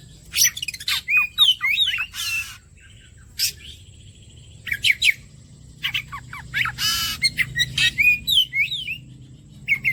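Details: Oriental magpie-robin song used as bait to make other birds sing: a lively, varied stream of whistled slurs, sharp chirps and harsh buzzy bursts in rapid clusters, with short pauses between phrases.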